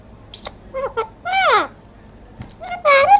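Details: Parrot vocalising: short, varied squawks and whistles, some sliding downward, one rising high squeak and several harsh, rich-toned calls, with quiet gaps between them.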